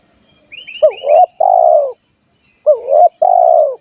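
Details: Spotted dove lure call meant to attract wild doves: a few high chirps from another bird, then two loud phrases, each a pair of short upswept notes leading into a long, slightly falling purred coo.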